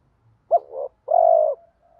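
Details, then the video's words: Spotted dove, from a mix of male and female birds, cooing to stimulate other doves: a sharp rising note into a soft hum, then a long steady low coo and a faint trailing tone. "giọng chim cu gáy thúc gù dồn ép bổi lười gáy ức chế phải gáy theo"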